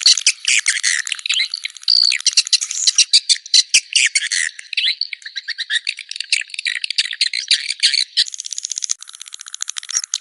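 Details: Swiftlet chirping: rapid squeaky notes in quick succession, fading toward a thin, steady rattling trill at the end.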